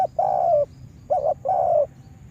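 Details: Spotted dove lure bird coos: a long drawn coo, a brief doubled note, then another long, gently falling coo over a low rumble.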